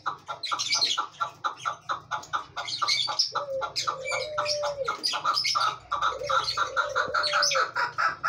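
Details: Chukar partridge giving steady rhythmic clucking chuk notes, several per second, throughout. Overlaid by long level low notes and busy high chattering from other birds.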